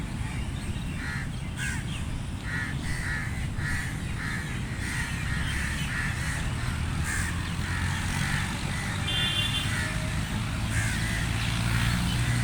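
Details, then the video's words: Rapid, irregular crow caws, many harsh calls packed into twelve seconds, with a persistent low hum and rumble, possibly traffic, underneath. "Crow Sounds Loud | Crow Caw Sound Effect | Crow Sound Effect"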